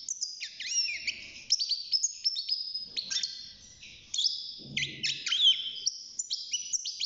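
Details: Young European goldfinch kept in a cage, six months old and starting to sing, gives a fast, continuous high twitter of tinkling, jumbled notes and short slurred sweeps with brief pauses between bursts.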